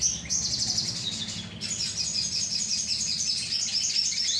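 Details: Lure recording of a sogon bird colony: a steady, continuous wash of thin, high twitters from many birds, barely pausing, with a soft low rumble in the background.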